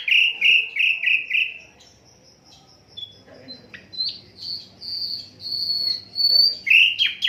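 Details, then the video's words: Unedited Asian brown flycatcher song for training other songbirds: five quick falling chirps, a quieter stretch, then drawn-out high whistles repeated in a steady series, closing with loud slurred chirps. "Sikatan londo durasi 15 menit, Reall No editan, cocok buat masteran semua burung"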